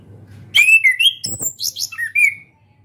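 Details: Orange-headed thrush; practice song; young bird learning to sing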